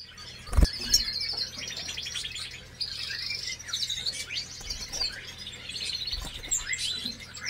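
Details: A canary × European goldfinch hybrid sings a fast, continuous twittering song of high, tinkling trills and chirps, over a low steady hum and a couple of soft knocks.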